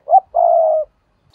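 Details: Decoy spotted dove used to draw in wild birds, uttering one short clipped coo and then a sustained, slightly falling coo. The surroundings are quiet.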